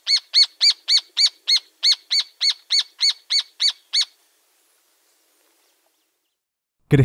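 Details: Rufous Hornero in Argentina delivering a regular series of loud, ringing notes, about three per second, thirteen in all. A silence follows, then a sudden noise at the end.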